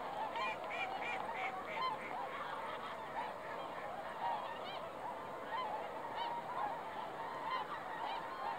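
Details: Flock of swans calling on a fog-covered lake, December 20, 2016: continuous overlapping trumpeting honks, many sharp harmonic notes repeated in quick succession, forming a busy, unbroken chorus.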